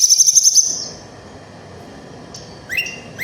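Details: Snowy-browed flycatcher singing, a sound meant to provoke other flycatchers and used for training and luring them: a rapid, very high trill lasting about half a second, then near silence and a few short rising whistled notes.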